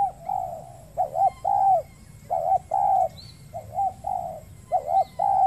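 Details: Wild spotted dove on peat ground in Riau Islands, Indonesia, calling in response to a caged lure bird during trapping; hoarse rolling coos in short paired phrases, repeated steadily, with a faint steady hiss behind.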